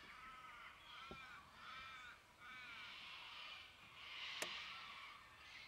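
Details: White-winged chough recorded in Victoria, Australia, in May 2010: a series of four harsh, nasal, arched calls in the first three seconds, then a louder rasping burst, with one sharp click and steady background hiss.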